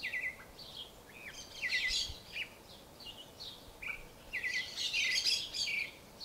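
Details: Creamy-bellied thrush (sabiá-poca), a South American thrush whose song is described as sad, sings short varied phrases of high warbled, twittering notes with quick slurred trills. The phrases come in bursts separated by brief pauses, with faint background hiss.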